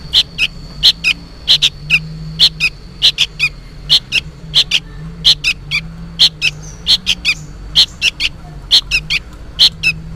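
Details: Fledgling sooty-headed bulbul clamouring as if calling its parent: a rapid, almost continuous run of high sharp chirps, often doubled, with a steady low hum underneath.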